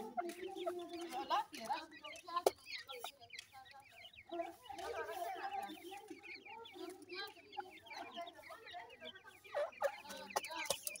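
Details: Small grey francolin chicks feeding together, producing continuous overlapping chirps and twittering peeps above a steady low clucking, with a sharp click near the middle.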